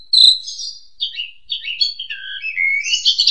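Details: Asian pied starling in energetic ngentrok song, played as therapy for domestic magpie robins: a loud high note followed by a jumbled run of chattering, warbled and slurred phrases that rise into scratchy high notes at the end.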